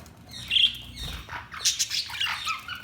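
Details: Budgerigars chirping in a short burst: a thin high squeak, then a scratchy, twittering chatter of rapid mixed notes with rough buzzy edges.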